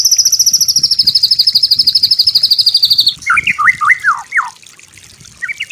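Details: White-rumped shama master song for training birds: a steady, very high rattling trill held for about three seconds, followed by a few sharp, steeply falling whistled notes.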